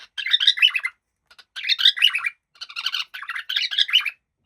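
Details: Bursts of scratchy, twittering chatter from a happy cockatiel, four dense noisy phrases each about a second long with short silent gaps between them.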